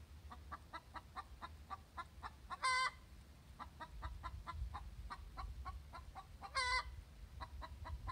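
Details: Egg song of a pet hen after laying: brisk repeated clucking with two long, strident harmonic cries about four seconds apart, then clucking resumes, with faint background rumble.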